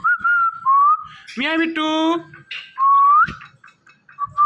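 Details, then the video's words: Indian ringneck parrot, a pet indoors, producing smooth whistled notes rising and falling, a short harsh buzzy burst in the middle, then more whistles; a person talks nearby. "Indian Ringneck Parrot Saying Mithu Mithu"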